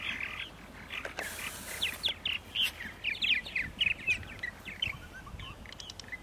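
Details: Purple martins on the morning of April 14, 2012, in Center Moriches, Long Island, New York: lively overlapping chirps, gurgles and downslurred notes, about four per second, with a short gust of wind near the start.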